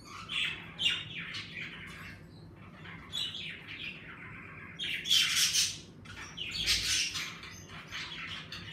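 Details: Pet budgerigars in an indoor bird room, livelier now the weather is warming, produce busy scratchy chatter and shrill squawks, swelling into dense noisy bursts midway.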